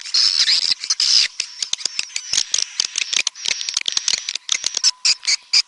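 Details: Red-nest swiftlet (walet sarang merah) calling sound: harsh high twittering bursts interspersed with rapid dry clicks, over a thin continuous high whine.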